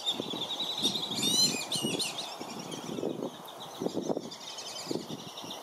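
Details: Black-bellied whistling ducks at Circle B Bar Reserve, Florida, as parents drive off dozens of other ducks from their brood; sharp clusters of piping whistles come in bursts above a faint continuous chatter and low thuds.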